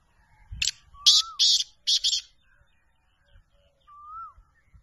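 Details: Black francolin (kala teetar) from Pakistan, a champion bird of the chal so chal and chakri wala style: four loud, harsh, buzzy grating bursts in quick succession, with a soft rising whistle heard twice in an otherwise quiet setting.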